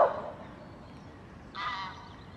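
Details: Great crested grebe pair courting, reunited and nest building; a brief loud sound at the start, then one grating, nasal honk-like call.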